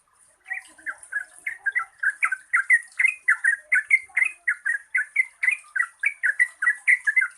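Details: Yellow-vented bulbul (trucukan) in long, rapid chattering song, used as a lure to prompt birds that sing little: bubbly liquid phrases repeated about twice a second, over a steady high-pitched hiss.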